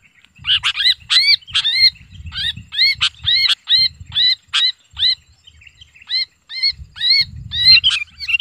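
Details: Kutilang lure sound: a Sooty-headed bulbul screaming as if held. Piercing curved double notes repeat steadily with brief pauses, then a dense cluster near the end, over soft low rustling.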